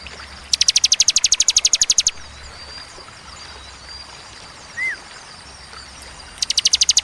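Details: Bar-winged prinia giving a 'tembakan' style song, described as sharp, clear and spaced: a fast run of bright, evenly repeated high notes, a pause with a single upslurred chirp, then the rapid trill starting again.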